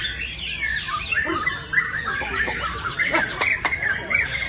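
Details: White-rumped shama in care, previously without fighting spirit, now in full song: rapid run of whistled notes, rising and falling slurs and chips, with a few sharp clicks and faint speech behind.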